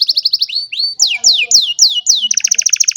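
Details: On a sunny morning an old canary delivers a quick run of repeated chips, a rising slur, a series of loud descending whistles, then a rapid rolling trill.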